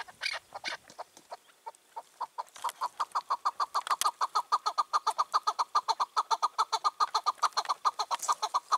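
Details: Wild chukar partridge, aged five or six, wandering freely near a rooftop on a June evening in 2023. A few sharp opening notes lead into an accelerating, rhythmic train of loud clucking chucks that continues steadily.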